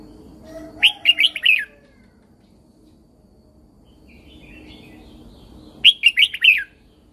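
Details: Red-whiskered bulbul from Thailand, a caged bird, singing the 'Super Jack' style used to train and excite other caged birds. Two short bright phrases of four to five quick warbled notes, separated by a pause with faint distant chatter.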